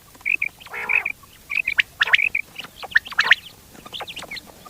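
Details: Common quail with softer short whistled notes and a rasping burst near the start, followed by scattered sharp clipped notes against faint background hiss.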